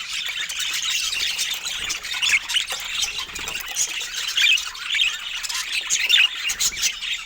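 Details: Several budgerigars produce a constant twittering babble, with clear squeaky chirps popping out above the overlapping high warbles every second or so.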